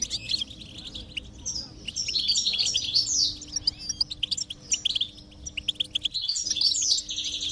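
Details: Goldfinch stimulation recording for a silent bird: dense high twittering phrases and rapid chirps, rising and falling in bursts, with a low steady hum in the background.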